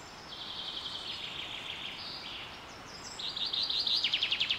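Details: Birds singing in spring on Carrizo Plain National Monument, California, USA, amid a super bloom: a thin high buzz and warbled phrase, a pause, then a louder trill of rapid repeated notes at the end.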